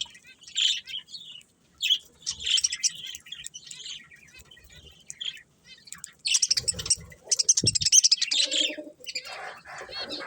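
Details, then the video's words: Budgerigar chirping and warbling in short high scratchy phrases separated by pauses, swelling into a loud busy burst of chatter near the end. "Cute Budgies Chirping Sounds"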